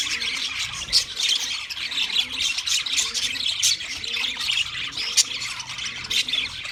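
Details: Wild budgerigars keep up a lively chatter of high twitters and harsh little squawks, overlapping continuously, with faint low cooing notes below.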